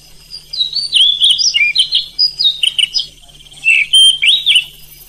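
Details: Oriental magpie-robin song played at night as a training recording to make other magpie-robins sing: a rapid, varied run of bright whistles, slurred notes and short trills in bursts of about four notes per second, with brief gaps and a faint low hum.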